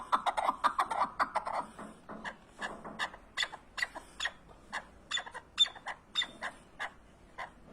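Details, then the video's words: Partridge calling in a fast run of short, sharp chuckling notes, about three per second, loud at first, then spaced and fading toward the end. "Keklik sesi huzurludur )the sound of partridge is peace )звук куропатки мир ) صوت الحجل سلام"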